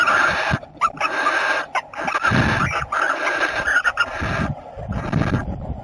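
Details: Barn owl during copulation, recorded 30 April 2018: a sustained raspy screech with a strong tonal band, broken into bursts, then stopping while low rumbling noise continues.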